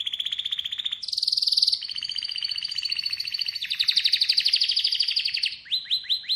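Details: Atlantic canary song made of long rapid trills changing pitch in steps, from a mid trill to a higher buzzy roll and back, ending with rising chirps.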